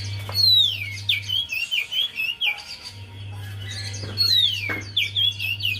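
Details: Javan white-eye song as a lure for a bird reluctant to sing; two rapid runs of high, downslurred and warbling whistles separated by a pause, over a low steady hum.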